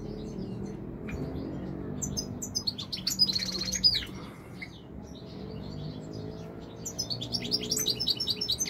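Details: European goldfinch from Morocco, called royal goldfinch, giving high twittering song in two bursts separated by quieter gaps, with low background hum throughout.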